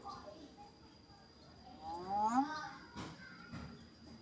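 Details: Talkative pet myna mimicking the greeting "Asalamualaikum" in a voice like human speech: a short phrase of rising and falling harmonic, speech-like syllables, with a sharp click afterwards and low room background.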